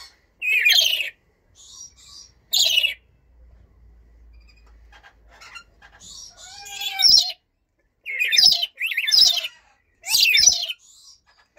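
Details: Blue-streaked lory calling: harsh, raspy screeches repeated irregularly, some loud and broad, others softer and chattering, with brief quieter grating notes between them.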